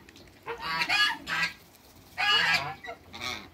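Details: Two male and one female African geese in a backyard trade loud, raspy honks: a pair of quick calls, a pause, then a longer strident honk and a shorter one closing the series.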